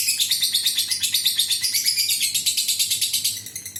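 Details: Lovebird's extended 'ngekek' chatter, a lure for other lovebirds: a fast, high, rattling trill of clipped repeated notes, even and continuous, easing off slightly at the close.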